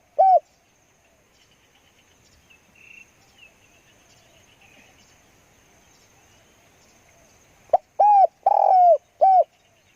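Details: Decoy spotted dove: a lone short coo opens, then quiet with faint rustles before a full phrase of clipped note, short coo, long mellow croo and closing coo near the end.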